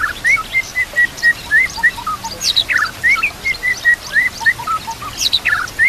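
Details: White-rumped shama training recording: steady chirps repeated about four times a second on a similar pitch, broken by occasional sharp high notes, with soft water noise.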